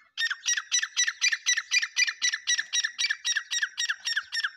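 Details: Black francolin giving a continuous run of loud, harsh, buzzy squawks, evenly repeated at about four notes per second throughout, with no other sounds.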